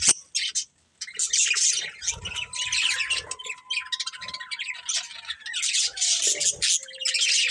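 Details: Budgerigars kept as a breeding pair chatter in busy, scratchy bursts of high chirps, while a thin steady tone glides slowly downward through the middle of the stretch.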